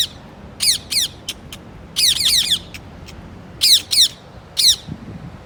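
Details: Parrot giving short harsh squawks with a stacked, downward-sweeping ring, in bursts of one to four spread over five seconds against a quiet background.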